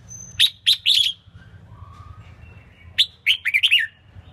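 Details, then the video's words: Selected female red-whiskered bulbul singing to excite and provoke captive males during training for singing contests. Two brisk phrases of sharp, bright chirping notes, three to five notes each, are separated by a quieter pause. "Kích chào mào mộc hót! Tiếng chim chào mào yếu lửa hót không đè"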